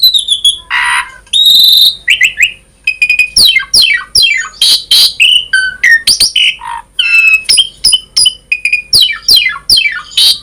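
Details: Asian pied starling in full varied song, meant to prompt other starlings to sing: clear whistles, steep falling slurs, harsh squawks and a long rasping note, delivered in quick dense bursts.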